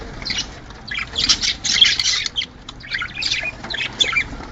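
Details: Budgerigars squawk and chirp in short raspy bursts separated by pauses, part of a recording played to encourage pairs to mate and lay eggs.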